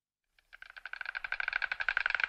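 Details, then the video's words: Short White stork bill-clatter: silence, one lone click, then a swiftly accelerating series of dry knocks that swells into a dense rattle. "Bocian. Klekot bociana klekotanie bocianów Odgłosy bociana Stork flapping."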